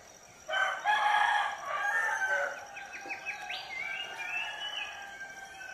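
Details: A rooster in a village in the morning gives one loud, harsh, drawn-out crow lasting about two seconds, followed by quick rising chirps and whistles from small birds.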